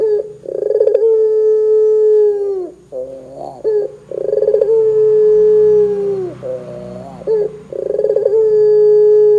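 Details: Barbary dove calling in full voice to get other doves calling: three long, steady, low coos, each dropping slightly at the end, with short throaty rolling notes between them.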